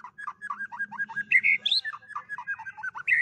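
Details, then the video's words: White-rumped shama, called fire shama, singing in many voices: a rapid run of short varied whistled notes repeated about three per half second, with brighter higher whistles midway and a low background hum. "chòe Lửa hót nhiều giọ"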